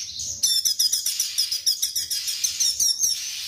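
A straw-headed bulbul sings a fast, high run of sharp chirping notes in rapid bursts, several each second, with no other clear sounds.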